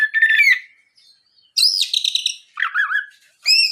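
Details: Lure song of an Oriental magpie-robin meant to prompt other magpie-robins to reply: a warbled whistle, a brief pause, then a dense chattering buzzy phrase, a wavering lower whistle and a final bright note.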